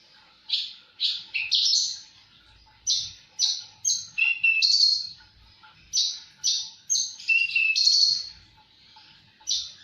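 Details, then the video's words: Javan bush lark in full gacor song: a busy run of clipped, high, slurred notes, some dropping in pitch, grouped into fast bursts with short gaps, over a faint low rumble. "Burung branjangan gacor"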